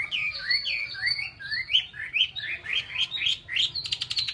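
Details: Chinese hwamei, a cage bird in Vietnam, repeating a clear rising whistled phrase about ten times in steady rhythm, ending with a short buzzy rattle.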